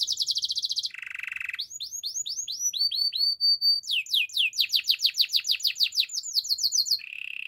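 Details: Canary singing a rapid series of tours: fast high trills, then a lower buzzy roll, then repeated rising upswept whistles and a quick run of sharp descending notes, all bright and high-pitched.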